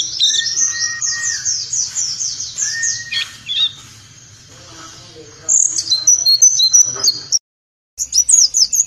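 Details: Warbling white-eye (pleci) 'nembak' tutor song, played in the morning during dew: fast high chirp runs over a constant low hum and other faint noises, a stretch of quieter mixed sounds, then sharp twittering again.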